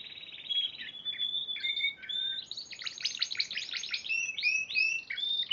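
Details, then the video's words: Competition Spanish Timbrado canary, March 2014 winner, giving steady whistled tones at two pitches, then a burst of fast pulsed notes and repeated looping rising whistles. "Kenari Spanish Timbrado Juara Piala Raja Maret 2014"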